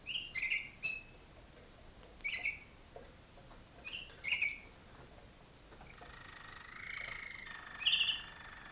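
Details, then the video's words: Malinois (waterslager) canary tutor singing to 2011 young birds in training cages in a dark room, North Canton, Ohio, USA: sharp clipped chirps in pairs, then a level rolling trill and one more bright chirp. "waterslager canary"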